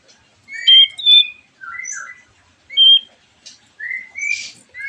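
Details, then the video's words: White-rumped shama lure song for drawing other shamas into song: sparse, short whistled notes, some pure and level, some slurred, spaced by silences, ending with a buzzy rasp. "MURAI BATU GACORAN PANCINGAN MURAI BATU OMBYOKAN ABRAGAN AGAR IKUT NYAUT GACOR"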